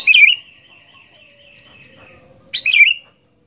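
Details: Indonesian fighter sooty-headed bulbul, caged, with two loud chattering song bursts separated by a long thin sustained whistle-like tone and a quieter low note in the background.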